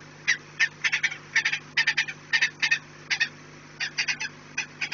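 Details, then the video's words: Peregrine falcon at the nest, recorded on 4 March 2019 at 16:28: harsh, rasping notes in quick clusters of two to four, repeated steadily, with a low steady hum behind. "Raszka i sokoły"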